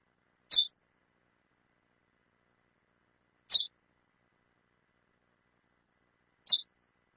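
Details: Calling female chestnut-bellied seed finch giving three crisp, high-pitched single chips at roughly three-second intervals, clean and isolated with near silence between notes.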